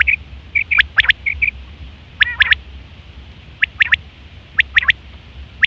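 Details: Common quail, September 2023, sound for hunting and mating: soft piping notes open, then sharp three-note phrases repeat about every second and a half.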